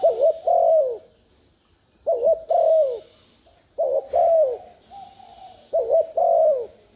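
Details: Luring coo of a spotted dove to make a decoy call back: four soft, low phrases, each opening with a quick wavering note and ending in a longer downward-sliding coo.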